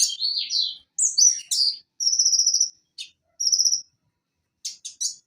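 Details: Van Hasselt's sunbird (Leptocoma sperata) in a recording used to restart a silent konin's singing: slurred high whistles, then two short, even, buzzy trills separated by quick sharp clicks, ending in scattered ticks.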